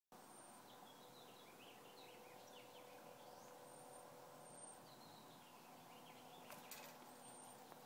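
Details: A male pet budgerigar gabbles, opening and closing its beak repeatedly, in a soft, continuous warble of quick chirps and squeaky slurred notes over a steady hum and hiss; the owner is unsure why, and the bird does not seem distressed.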